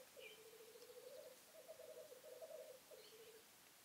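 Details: During the 2015 mating-season lek, a black grouse gives a long, steady, gurgling bubbling song with small swells in pitch, pausing briefly before a final phrase; faint thin chirps of other birds in the background.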